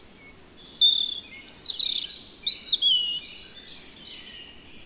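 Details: Song of a European robin in the Netherlands: a thin high note, then a steep downward-sliding whistle and a rising-falling whistled phrase, spaced by brief pauses, with faint distant birds.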